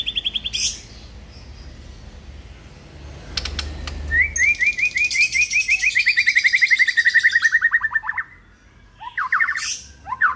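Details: Morning lure recording of a white-rumped shama: after scattered calls and a pause, a fast train of upslurred chirps runs for about four seconds, slowly descending, then breaks into harsh, buzzy phrases.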